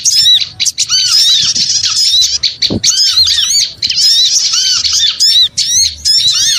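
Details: Busy flock of small birds used as a lure, sharp hooked chirps and rasping squeaks crowding together, arched lower notes recurring every second or so, a brief click near three seconds.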